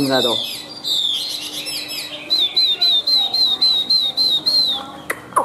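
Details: Chinese hwamei, a caged white-winged, white-tailed bird described as a high singer with good fighting spirit. After a jumbled opening it gives a steady string of about ten bright, repeated whistled notes, each dipping slightly, with brief pauses.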